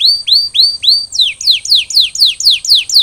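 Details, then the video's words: Canary in recovery after molting singing four rising whistled notes, then a regular series of eight downward-sweeping whistles about four per second. "Post-Molting Recovery: Get Your Canary Back to Gacor Faster!"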